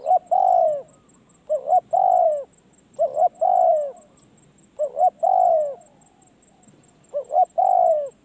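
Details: Steady series of spotted dove coos from a decoy bird being trained at a perch. Each phrase has two short rising notes and a longer descending coo, repeated regularly with short gaps, faint hiss behind.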